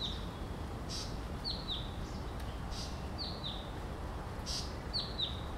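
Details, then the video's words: Blue-capped rock thrush gives thin, high, down-slurred whistles in pairs about every two seconds, with soft hissy bursts between them over a steady low background rumble. "Blue-capped Rock-Thrush"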